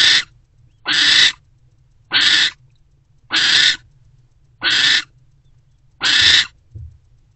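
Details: In a nest box before dawn on 20 February 2024, a barn owl mother sits with her older owlet; six raspy, broadband hissing screeches follow one another at fairly steady intervals of about a second, with low hum between them.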